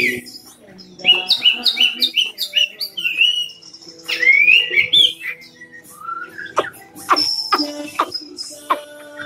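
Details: Caged Cao Bằng hwamei in Vietnam: a string of repeated downslurred whistles, a loud rising warbled phrase, then sharp chips and ringing notes over faint background noise.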